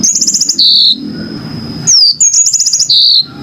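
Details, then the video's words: Yellow-fronted canary song: a rapid high trill running into a buzzy note, a pause with a steady faint whine, then a falling whistle and the same trill-and-buzz phrase again. "kicau burung MOZAMBIK super jernih"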